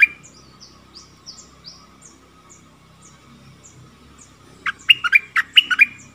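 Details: Caged and wild stripe-throated bulbuls exchange song, 1 April 2021; the wild birds come near but stay up, likely with young in the nest. Thin, faint high whistles drift for several seconds before a loud burst of about seven gurgling notes.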